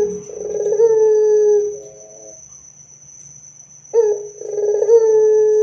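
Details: Barbary dove singing loudly, used to prompt other doves to answer: a buzzy onset flowing into a long, steady, mid-pitched coo. A pause follows, then a second buzzy coo rises and holds steady.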